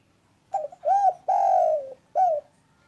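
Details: Spotted dove, a loud clear bird used to stir quiet doves into calling, giving a cooing phrase: short stuttered coo, rounded coo, long drawn-out falling coo, then a final clipped coo, all low and mellow.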